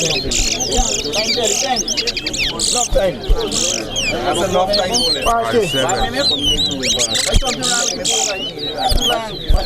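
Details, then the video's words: Chestnut-bellied seed finch (towa towa) singing at a bird-singing competition in Corriverton: rapid, sweet, high warbled and twittering phrases pour out continuously over a steady murmur of people talking nearby. "TOWA TOWA BIRD SINGING COMPETITION"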